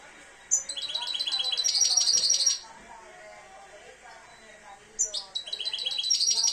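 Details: European goldfinch, two years old and beginning to come into breeding condition, singing two fast, liquid twittering phrases of quickly repeated high notes, the first lasting about two seconds, over low background voices.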